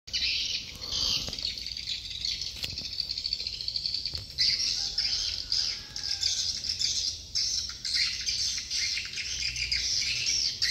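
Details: Swiftlets from Dương Tơ commune, Phú Quốc, chirping as a dense chorus of high, buzzy twitters that overlap continuously, with a faint low hum underneath.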